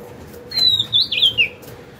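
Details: Oriental magpie-robin, a wild-caught bird kept caged for two years, singing once its cage is hung up: one loud whistled phrase, a long level note sliding down through wavering, warbled notes, in a quiet room.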